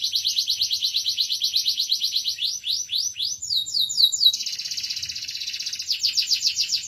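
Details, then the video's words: A singing domestic canary delivers a rapid rattling trill that gives way to rising slurred notes and a sudden buzzy, rolling passage, then picks up the fast pulsed trill again. "kenari gacor good canary singing"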